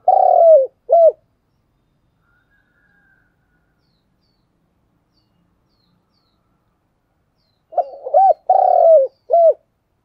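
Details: Spotted dove decoy calling in the spirited 'thúc gù' manner: two phrases of low coos, each a long hollow note followed by a short clipped hoot, separated by about six seconds of silence.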